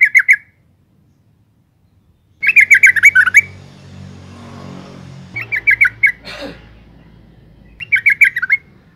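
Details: Calling female yellow-vented bulbul, used to stir males into song: four bursts of fast, bubbly chatter, each of four to eight notes, with a low hum and a brief rasping sweep between bursts.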